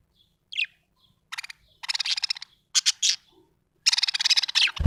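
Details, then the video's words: Cheerful budgerigar's chirping: an opening chirp, then several bursts of fast, rattling, pulsed chatter growing longer and louder, with a short knock at the very end. "Happy budgie chirping sound"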